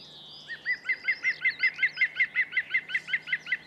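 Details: A green woodpecker on open heathland in the morning in spring gives its yaffle: a loud, laughing run of about fifteen ringing notes, rapid and steady in pitch, over faint background hiss.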